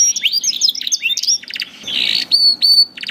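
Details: Canary song for tutoring young canaries: a jumble of quick high chirps and swept notes, a short buzzy rasp, then thin sustained whistles and brief clipped notes.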